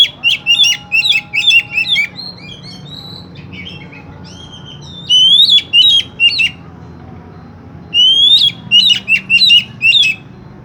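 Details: Oriental magpie-robin song used as a lure to prompt another magpie-robin to sing: bursts of sharp, high whistled and chattering notes in short phrases, with rising slurred whistles, separated by brief pauses; faint low background hum.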